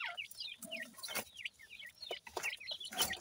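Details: Francolin chicks calling: several thin, high peeping chirps that rise and fall, some sliding down, repeated quickly with short gaps, mixed with faint clicks and knocks.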